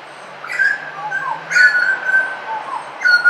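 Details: A butcherbird in suburbia sings clear, mellow whistled phrases around one to two kilohertz, with some sliding and falling notes, several phrases in quick succession.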